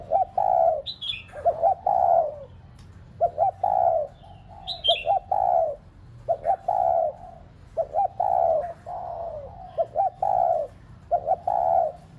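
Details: Decoy spotted dove giving pressing, rapid coos (thúc dồn), played to stimulate pet doves to coo. It repeats low, mellow phrases of stuttered notes and drawn-out falling coos about every two seconds. A steady low hum and brief higher chirps from other birds are heard.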